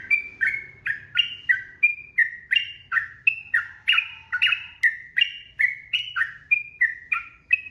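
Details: Continuous 'ropel' singing of a yellow-vented bulbul, a lively long song meant as a model for other birds. Bright, bubbly chirped notes alternate up and down in quick succession, about three per second, over faint low rumble.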